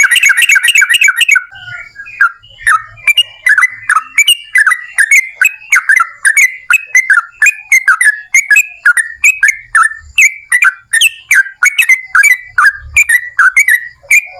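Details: Yellow-vented bulbul in full, lively voice, singing long ropel panjang phrases meant to draw other bulbuls into song: a rapid opening flurry, then a steady stream of rich, rising and falling whistled notes for fourteen seconds.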